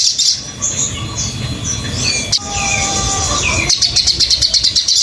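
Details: High squeaky notes and slurred whistles from a crimson sunbird, recorded as a master for training caged birds, ending in a rapid, buzzing run of evenly spaced chirps.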